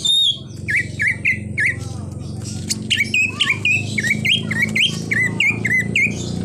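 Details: Greater green leafbird delivering 'isian' mimicry song that includes an imitated car horn: loud, repeated dipping whistles nearly two per second, mixed with harsh squawky notes and bright trills.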